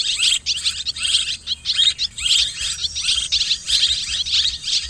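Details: A mixed swiftlet chorus, steady, dense, high-pitched chattering chirps, loosely pulsing about every two seconds, with a faint low hum beneath.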